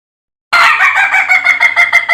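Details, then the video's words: Rooster of the Ayam Ketawa breed crowing: after half a second of silence, a loud, bright, continuous crow starts abruptly and wavers with a fast pulsing flutter to the end. "Sound of a Rooster Laughing Compilation (Suara Ayam Ketawa)"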